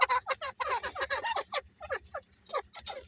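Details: Grey francolin breeding pair calling: a fast series of short, harsh, downward-sliding notes with rich overtones, delivered in tight clusters with brief gaps, under a faint low regular hum.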